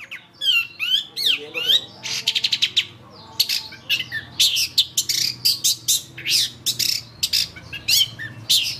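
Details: A long-tailed shrike, recorded as a master recording for training songbirds, sings a rapid, varied medley: squeaky whistled slurs, then harsh, scratchy chattering bursts repeated several times a second, in a small room.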